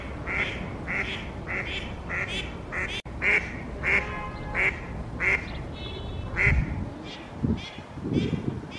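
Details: Two pairs of mallards at Oksywie on 2 April 2021, with the females quacking: a long run of loud, evenly paced nasal quacks, other duck notes overlapping midway and low thumping noises near the end.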